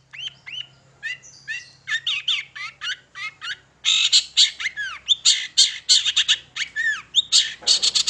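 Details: Long-tailed shrike singing energetically as a lure to prompt young birds to sing: rapid high chirps and buzzy slurred notes in quick bursts, growing louder and denser after the midpoint.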